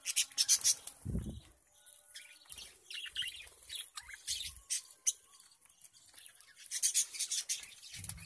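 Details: Lovebirds in India, eating and playing with each other, chatter with shrill, scratchy chirps and squeaks in quick, uneven bursts.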